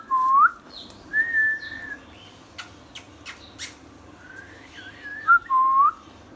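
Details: Pet ringneck parrot, an Indian talking parrot, giving a few clear whistled notes, some rising, others wavering and falling, with short gaps and faint echoes between them, plus several sharp clicks in the middle.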